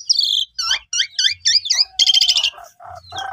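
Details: Asian pied starling song intended to provoke quiet starlings into singing: a high slurred whistle, a run of rapid twisting chirps, a loud buzzy rattle, then lower warbled and harsh notes.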